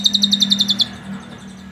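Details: Captive Asian pied starling filled with mimicked Cililin canary song, suited as a tutor recording: a fast, high, canary-like trill of about nine bright notes in under a second, then quiet over a low steady hum.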